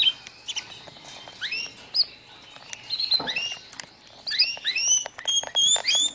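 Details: An F1 canary, a would-be contest bird, sings quick, high chirps and upslurred whistles in rapid bursts, some notes trilled, with brief clicks and patter between phrases.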